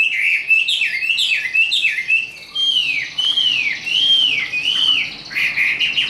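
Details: Tame caged Chinese hwamei in fighting song: quick looping whistles at first, then a series of arched clear whistled notes repeated roughly every 0.7 seconds.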